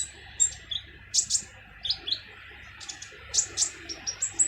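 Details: Harsh-voiced kolibri ninja sunbird song for tutoring other birds: irregular bursts of thin, high-pitched chips and brief slurred notes, some doubled, against a soft background hiss.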